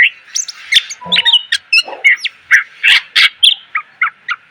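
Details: Full, loud greater green leafbird tutor song for cage birds: a busy string of chirps, whistles and rapid slurred notes in steady succession, with a few lower harsh sounds.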